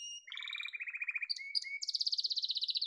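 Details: Song of a yellow domestic canary: a low rapid rolling trill, short slurred whistles, then a higher, quicker bubbling trill carrying to the end.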